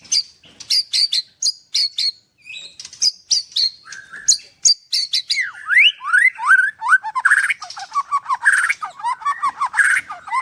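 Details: At a bird farm in Kendal, Indonesia, a white-rumped shama delivers 'nembak' song: sharp high chips repeated in pairs, then rising swept whistles and a busy, lower warbling chatter.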